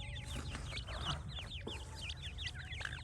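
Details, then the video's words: A brood of francolin chicks calling: rapid, piercing, swooping peeps tumbling over one another in a continuous stream above a low hum. "تیتر کے بچے اور مست آواز"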